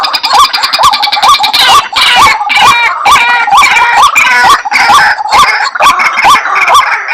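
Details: White-breasted waterhen calling for a lure: scratchy, croaking phrases with upswept endings, around two per second, layered with rasping, chattering undertones.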